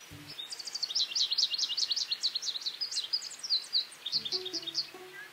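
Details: American goldfinch, a year-round North Carolina resident often acrobatically feeding on seed heads, gives a fast, bright twitter of high squeaky notes like a dog toy or rubber duck for about four seconds, with faint low tones at start and end.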